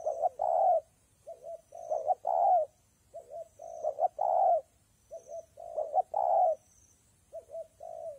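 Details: Spotted dove cooing in rainy, windy weather, giving repeated phrases of two quick soft notes and a drawn-out warbling coo, cycles roughly every two seconds with quiet gaps between.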